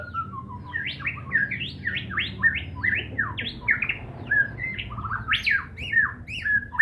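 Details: Medan-type white-rumped shama giving a lively stream of short, sharply rising and falling whistled notes, tightly packed, with a few higher piercing notes near the end; low background hum throughout.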